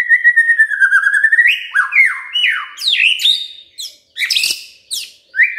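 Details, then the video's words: Magpie-robin singing to encourage a silent bird to call: a long drawn whistle, then loud varied sweeping notes, rising slurs and harsh chattering bursts in quick succession. "Pancingan Murai DIAM Agar Rajin Bunyi"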